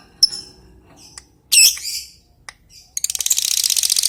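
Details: Lovebird ticking and then breaking into ngekek while calling a rival: a few isolated high chips and a harsh squawk, then a fast, shrill chattering trill.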